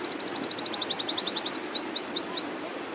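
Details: Canary rolling song: fast trill of doubled high notes lasting one and a half seconds, followed by four upward-swept whistles.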